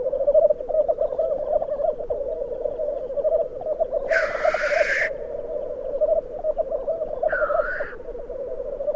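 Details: Black grouse at a lek at Glen Tanar, recorded from a photography hide: a continuous low bubbling, cooing murmur runs throughout, broken by two harsh, hissing sneezes, one longer near the middle and a shorter one later.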